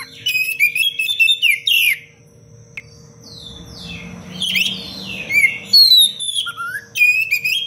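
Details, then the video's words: Oriental magpie-robin in full, constant song in the tight, sharp 'cengkok rapat pedas' style, recorded as a master for teaching other birds: dense runs of high whistles, sweeping slurs and rapid chattering trills with a brief lull midway, over a steady faint hum. "Kacer gacor cengkok rapat pedas untuk masteran"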